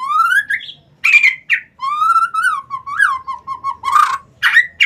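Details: Lure song of a white-rumped shama meant to get reluctant shamas singing: clear rising whistles and a long wavering whistled phrase mixed with short harsh rasping bursts, loud and close, over a quiet low hum.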